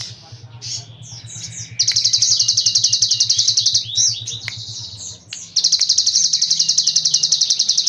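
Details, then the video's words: A cigun sings a series of quick, varied, high chirps, then an intense, buzzy trill of rapid notes. The trill pauses for more twittering and starts up again; a faint low hum runs underneath. "MASTERAN CIGUN BREM"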